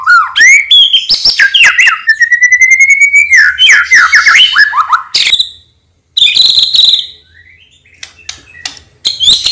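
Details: White-rumped shama of the Medan type, an energetic singer, delivering a lure song for other shamas: rich whistled phrases sliding between low and high pitch, a long steady rising whistle, harsh chattering bursts, and a short silent pause.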